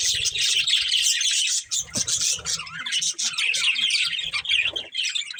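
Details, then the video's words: Budgerigars, a caged breeding pair, chirping: a dense continuous warbling chatter of high twittering notes with scattered squeaky calls and faint low background sounds. "Cute Budgies Chirping Sounds"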